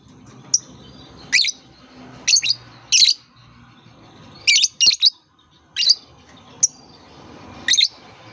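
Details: Lovebird chirping meant to encourage young lovebirds to start calling: about ten sharp, high chirps, some single and some in pairs, scattered irregularly with short silences between them.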